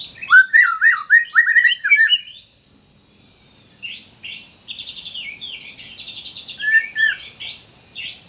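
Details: White-rumped shama delivering a fast string of looping whistled notes for masteran, then a pause and quieter high chirps and trills, ending with a brief low slurred whistle.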